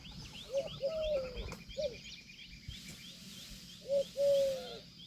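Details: Indian peafowl calling: short nasal mewing notes, then longer drawn-out wailing calls that slide slightly downward, in uneven bursts, with a steady chorus of high chirping birds and insects behind.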